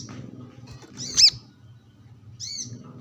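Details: Brown-throated sunbird, sunbathing and calling rivals: a single sharp high chirp with steep descending strokes, then a fainter double twitter after a pause, over a low background hum.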